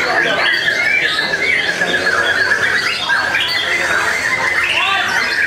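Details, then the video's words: A white-rumped shama (murai batu) from a breeding farm in Tasikmalaya, Indonesia, sings loud 'kretekan' song with rich mimicked material during a simulated contest hanging. The sound is a dense, continuous stream of harsh rattles, squeaky chatter and rapid twisting phrases. "KRETEKAN Keras Murai Gacor Nembak Materi ISIAN MEWAH"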